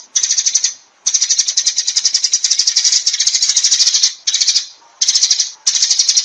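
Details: Sparrow flock call: a long stretch of quick, shrill, rattling notes, followed by three shorter bursts separated by brief pauses.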